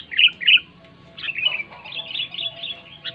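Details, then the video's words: Sooty-headed bulbul song, loud, used to stir quiet bulbuls: two strong chirps open, followed by a bubbly, slurred warbling run. "SUARA BURUNG KUTILANG NYARING"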